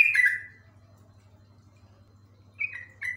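A yellow-vented bulbul gives short bubbly, slurred phrases that fall in pitch, one at the start and two more near the end, over a faint low hum.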